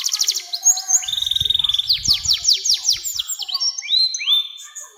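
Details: Long canary song meant to coax young canaries into singing, opening with a buzzy rattle, then quick trills and a series of sweeping downslurred whistled notes, finishing in rising chirps; faint low knocking underneath.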